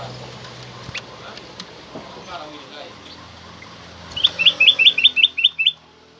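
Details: Black-crested bulbul song used to encourage other pet bulbuls to sing: a quiet stretch of low background noise, then seven bright, loud, upward-flicking whistles in a quick even series near the end.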